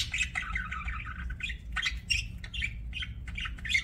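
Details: Continuous budgerigar warbling, an excited run of grating, wavering chirps and squeaks with little pause over a faint low hum.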